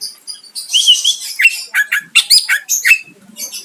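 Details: Greater green leafbird singing to provoke a rival: dense, scratchy chatter mixed with bright slurred whistles and quick squeaky notes, delivered almost without pause.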